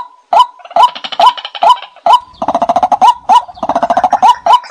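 White-breasted waterhen giving loud, repeated croaking notes about twice a second, each with a short rising whistle, mixed with bursts of rapid throaty chattering.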